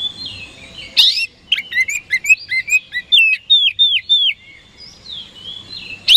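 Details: Oriental magpie-robin in lively song, a lure recording to make opposing birds respond fast; a quick string of loud, looping whistled notes and chips runs for several seconds, then falls to quieter whistles.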